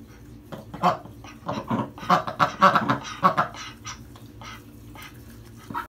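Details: Young domestic ducks, a drake with a froggy voice and females with loud quacks, chatter indoors in a bathroom after a bath in the tub while it is -20F outside; a burst of short harsh quacks clustered around the middle, then quieter calls.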